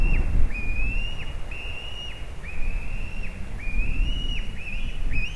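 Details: White-tailed eagle at a nest in Latvia, 18 July 2019, as one chick kicks another out: thin, high, downslurred whistles repeated about once a second, faint over a steady low rumble of wind or hum.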